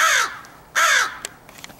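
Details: Crow heard one morning on 4/6/2015: two loud, harsh caws, each about a quarter second long with a falling tail, spaced roughly three-quarters of a second apart, followed by faint clicks in a quiet setting.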